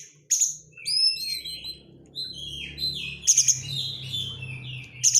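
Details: Oriental magpie-robin lure song with tight crecetan chatter: sliding whistles and buzzy descending phrases punctuated by loud scratchy bursts, over a steady low hum.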